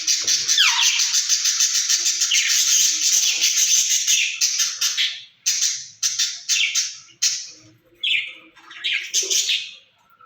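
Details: Caged rose-ringed parakeets, a pair conversing and said to speak Urdu, give a sustained harsh screechy stream that breaks into short rasping bursts repeated about twice a second toward the end.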